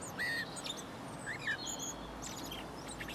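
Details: Male common blackbird in Cambridge, England, recorded 25 March 2019 at 12:42 pm. It gives a few thin whistled notes with short upslurs and some higher squeaky chirps over steady low background rumble.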